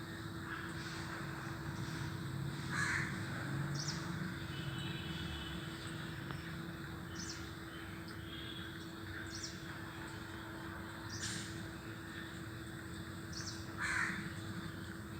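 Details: Crow; caw; answering another crow's call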